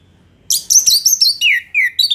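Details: An orange-headed thrush (Geokichla citrina) in vigorous, long song, used as tutor song for other songbirds, sings a rapid run of high, varied whistled and chattering notes, ending in a few lower slurred whistles.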